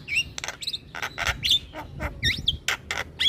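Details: Javan myna in full song, nodding its head, to coax silent mynas: rapid alternation of raspy bursts and bright whistled squeaks, packed tightly together.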